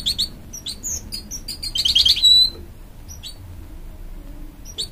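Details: Canary-goldfinch hybrid singing to urge on its young chicks, sharp high chirps and a quick buzzy trill that ends in a drawn whistle, followed by scattered sparse notes over low background hum.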